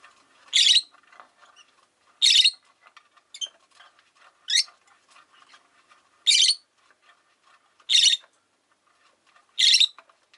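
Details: Steady shrill shrieks, about one every one and a half seconds, come from pet rosy-faced lovebirds, five kept in a cage by a window, with low chattering murmurs between calls.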